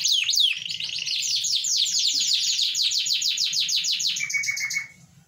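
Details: Canary in energetic song pours out a long rapid trill of evenly repeated high clicks and sweeps, ends on a short steady whistle, then falls quiet; faint low rumble underneath.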